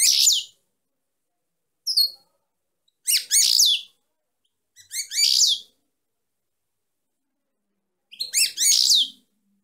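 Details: Female European goldfinch singing: short bursts of high, twittering, buzzy notes in tight clusters, about five phrases separated by pauses of one to three seconds, in otherwise quiet surroundings.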